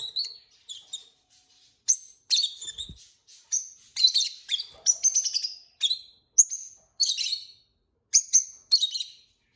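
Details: Captive pair of Peach-faced lovebirds chirping busily, a fast stream of shrill high notes in clusters, some doubled, with brief pauses between runs.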